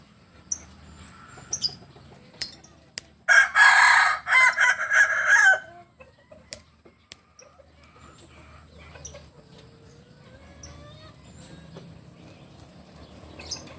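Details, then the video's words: Crowing of a Kukuak Balenggek cock, native to Solok: a loud, rough crow of about two and a half seconds broken into several linked syllables, set among faint scattered chirps and clucks before and after. "Ayam kukuak balenggek ayam asli solok"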